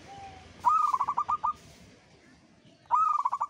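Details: Zebra dove of the local perkutut strain, singing keenly: a faint low whistle, then two phrases of fast, rhythmic throaty coos, each introduced by a rising note and lasting under a second.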